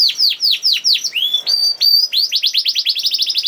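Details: Canary singing in the 'nembak' style, played to spur lazy canaries into singing: slow descending whistles and a long slurred note, then an accelerating run of quick high chirps.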